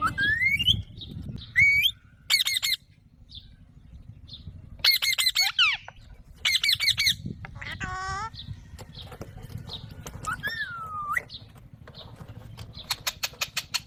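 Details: Alexandrine parakeet natural sounds: rising whistled calls alternate with clusters of harsh, rapid squawks and a long slurred whistle, with a steady low hum throughout.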